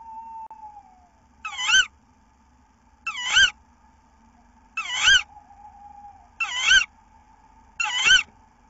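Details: Female tawny owl (Strix aluco) at a nest, 15 April 2018, receiving a mouse, gives five harsh, rasping screeches, each under half a second, repeated about every one and a half seconds over a steady faint background hum.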